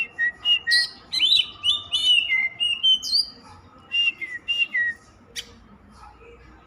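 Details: Oriental magpie-robin song that keeps going, quick whistled and warbled phrases at first, then softer spaced notes toward the end, with faint low background noise.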